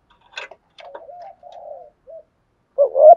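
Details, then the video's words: Spotted dove giving 'thúc gù' style cooing: a scratchy burst at first, then soft, low, level coos with gaps between, ending in a louder, rough two-part coo. "chim cu gay thúc gù bài bản nhất hiện nay"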